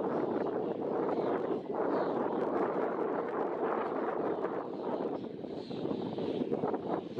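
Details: Steady rumbling wind and engine-like noise fill the recording, with no animal voice standing out.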